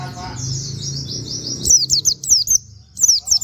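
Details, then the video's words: White-eye (pleci) in 'nembak' style with canary-like 'wit wit' notes, kept as a tutor recording for training songbirds. A soft continuous high twitter is followed by bursts of sharp, high, downslurred whistled notes in quick succession. "pleci nembaķ wit wit kenari cocok buat masteran"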